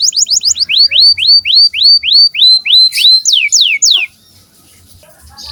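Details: Canary song used to train young canaries: a loud run of about fifteen rapid, identical downward-sweeping whistled notes, steady at first, then a few faster, sharper slurred notes, ending abruptly in near silence.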